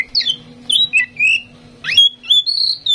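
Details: A tame Oriental magpie-robin, kept to spur other birds into song, sings a varied run of sweet whistles and harsh squawky notes, rising and falling between phrases, with a faint low hum behind.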